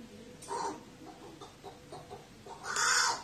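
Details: Crow calling when lonely, a few harsh, hoarse caws, a short one near the start and a louder, rougher one at the end, over a quiet background hiss.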